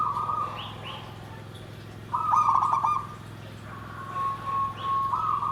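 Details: Zebra dove song in the 'nggandem gedhe garing' style: a short coo at the start, then one loud stuttering, rolling phrase near the middle, followed by softer drawn-out notes and a final brief coo; steady low hum throughout.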